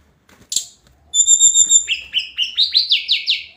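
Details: Daily song of a hill blue flycatcher, called tledekan gunung: a sharp note, then a long, steady, pure whistle, followed by a series of quick rising and falling whistled notes repeated about three times a second.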